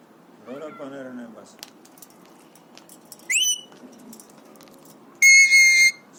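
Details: Happy, excited three-year-old pet Alexandrine parakeet: a soft wavering voice-like murmur, then a short rising whistle, and finally a long loud steady whistle, with brief clicks between.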